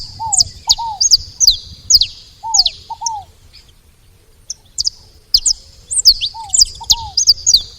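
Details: Saffron finches at a feeding spot: clusters of sharp, high, falling chirps broken by a quiet pause, with lower slurred paired whistles beneath.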